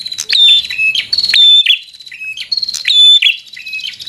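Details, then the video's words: Bar-winged prinia delivering fighter song to provoke an opponent: rapid, bright high chirps alternating with slightly lower notes, clicks punctuating each phrase, nearly continuous over four seconds. "Suara Burung prenjak | Prenjak Gacor Full FIGHTER Bikin Prenjak Jadi Emosi Lawan"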